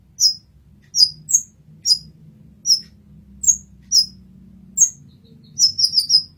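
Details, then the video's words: Olive-backed sunbird (kolibri ninja) master song: a dozen sharp, high-pitched chips at irregular intervals, finishing in a rapid burst of four, with a faint low hum behind. "Kolibri Ninja Masteran"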